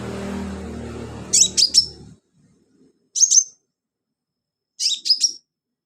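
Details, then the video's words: Sunbird singing actively, used as filler song for training other birds: three short bursts of very high, sharp twittering notes, each a quick cluster of two or three chirps, separated by pauses, with a low rumbling hum at the start. "BURUNG KOLIBRI/CONIN GACOR buat isian"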